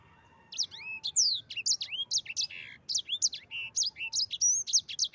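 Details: Yellow-fronted canary, 'ngerol' rolling song as a master for training other birds. Unbroken, lively sequence of high sweeping and falling whistles, a few buzzy notes mixed in.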